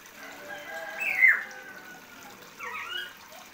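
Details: Common hill myna learning to talk: a harsh, rising squawk-whistle near the middle, then a fainter warbled phrase toward the end, over a soft running-water background.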